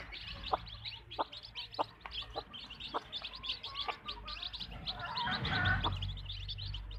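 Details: Chickens in a backyard farm flock: a string of dry, short clucks roughly every half second to second, with constant high peeping behind, then a brief louder rustling burst near the end.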